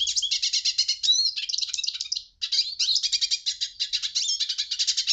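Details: Hooded siskin delivering fast, high chattering phrases of clipped chirps and short trills, with one short break midway before the twitter picks up again.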